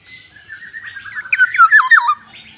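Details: A black-naped oriole starts with a drawn-out low note, then gives a quick string of harsh, buzzy calls, each falling sharply, loud and close.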